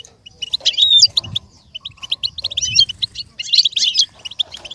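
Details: Goldfinch song for imitation training: three bursts of high, jingling twitters with short whistled slurs, separated by brief quieter gaps, over faint low background noise.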